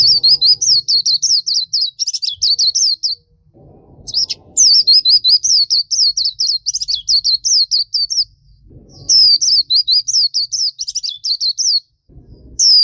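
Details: Black-capped white-eye in nonstop lively song for training songbirds: long trains of rapid, high, looping whistled chirps repeated several per second, broken by brief pauses, with faint low background noise.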